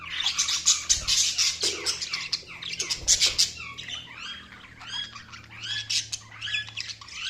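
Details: Budgerigars chirping in lively, nonstop chatter: rapid high squeaks, buzzy notes and up-and-down slurred whistles tumbling over one another.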